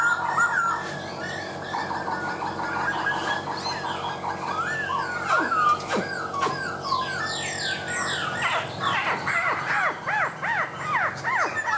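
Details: Laughingthrush in full song with rich warbled whistles, then rapid series of sharply sweeping notes, several dropping steeply, and a fast run of looping chirps near the end, over steady background hiss.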